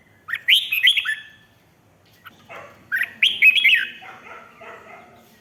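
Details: Red-whiskered bulbul 'rik' song meant to stir up listening birds: two bubbly phrases of loud whistled, downslurred notes, the second trailing into softer scratchy chatter.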